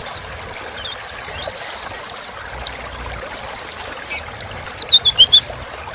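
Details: Rich sunbird filler song meant to make other birds sing: varied high slurred whistles mixed with rapid bursts of sharp chips, lively and continuous throughout.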